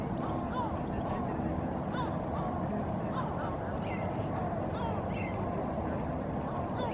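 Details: Two adult herring gulls standing on sea ice in Helsinki, Finland, in April 2023 exchange harsh, nasal calls in several short strained notes, over a steady roar of wind or surf.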